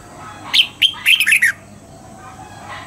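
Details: Morning song of a red-whiskered bulbul trained in the double-note style: one phrase of about five bright, clipped whistled notes, rising then dropping, lasting about a second against a quiet background.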